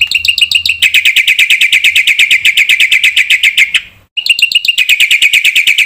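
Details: A black-winged myna in vigorous song, played to provoke rival mynas: a dense, fast series of rasping, ringing notes, with a short break near the middle before the rapid chatter resumes.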